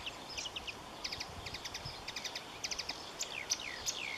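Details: Marsh warbler song made of crisp, rapid clicking notes in short bursts of three or four, broken by high chips and ending in a drawn-out, descending whistle.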